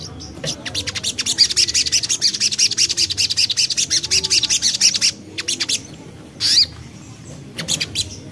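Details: Young common iora singing continuously, a lure to make birds sing: a long, fast, high chattering trill for about five seconds, then scattered single notes and a short loud burst.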